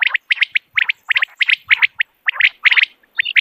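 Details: Common quail heard in the morning, giving quick groups of two or three sharp, high, clipped notes, repeated roughly once per second with short gaps between bursts.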